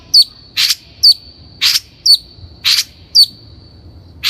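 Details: Long-tailed shrike lure recording for training untrained captive shrikes: a bright slurred whistle alternating with a harsh rasping note, the pair repeated roughly every half second.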